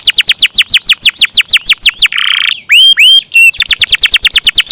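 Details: Canary delivering a long roll: quick, evenly repeated downward-sweeping whistles. A short rasping buzz and two rising whistled notes follow, then another fast descending roll.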